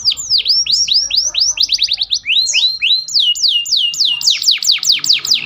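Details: Canary singing a lively song with ciblek-style phrases, meant as a tutor recording for other birds: rapid series of loud, clear whistles, each sweeping steeply downward, repeated several times per second in shifting bursts, with only a faint hum behind.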